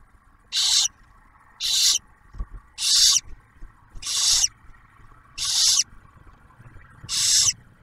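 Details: Barn owl nest in Ottawa National Wildlife Refuge, Ohio, during the first meal of the first owlet, food delivered by the male; seven short breathy screeches spaced about a second apart over a faint low hum.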